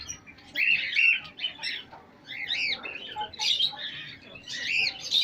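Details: Pet chicks with pet hens: clear high peeps in short, slightly arching bursts, several chicks calling in turn over a quiet low background.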